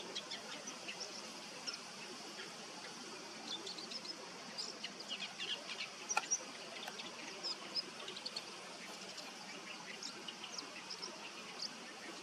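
A male bull-headed shrike murmurs a soft, rambling subsong of scattered high chirps and twitters over a steady hiss of background noise.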